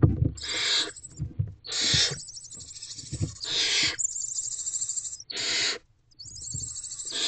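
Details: Nestling barn owls in a nest box at 1:47 am on 28 April 2023, stumbling over one another toward their mother. Long, drawn-out snoring hisses, some overlapping, with a thin whistling edge and brief pauses.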